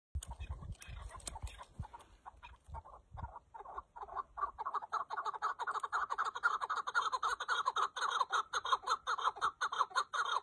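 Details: Chukar partridge calling in rapid, harsh, clucking notes repeated about twice a second, building into a steady rhythmic rally with bright overtones, after a few scattered handling knocks at the start.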